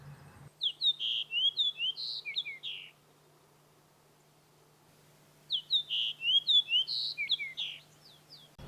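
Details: A central Alaskan Fox Sparrow sings a rich, whistled song of sweet slurred notes lasting about two seconds, repeated after a pause, over a low hum. An individual repeats the same song all day.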